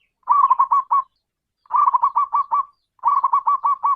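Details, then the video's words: Deep-voiced local zebra dove calling: three rolling phrases of rapid, stuttering coo notes, each phrase about a second long and separated by short silences. "perkutut lokal suara besar memanggil"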